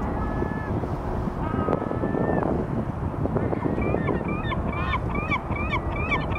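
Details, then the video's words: Vega gull on February 5 at the start of courtship, early in the breeding season, the pair still apart; loud deep rumble, then in the last seconds a run of sharp, rising-falling yelping notes repeated in quick succession. "セグロカモメ求愛の鳴き声が始まりました まだ二人は距離がある"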